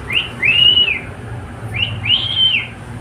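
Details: Pet cockatiel whistling two long phrases, each a short rising note followed by a sustained, gently arched whistle that falls away at the end.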